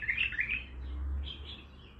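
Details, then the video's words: Bulbul of the Baghdadi style giving quick, slurred warbling notes at the outset, then fainter higher twitters fading away, with a low background drone. "بلبل طور بغدادي خام"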